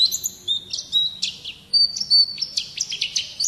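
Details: A pet/contest White-eye ("pleci", Indonesian songbird kept by bird-contest fans), presented as a champion singer, gives a fast, high twittering song of thin chirps and short trills without pause over faint low background noise.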